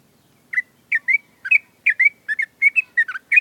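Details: Caged adult sooty-headed bulbul during morning dew and sunning, singing its rapid ngewer chatter: loud, short, slurred whistled notes, often paired and rising, about three per second with brief gaps, in a quiet setting.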